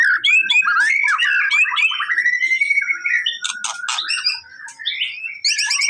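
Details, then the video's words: White-rumped shama song meant to prompt a reluctant bird to respond: a fast, varied run of rich whistled phrases and sharp chattering notes, rising and falling, with dense high trills at the end. "MURAI BATU MALES BUNYI!!! CUMA BUTUH 5 DETIK LANGSUNG RESPON!!!"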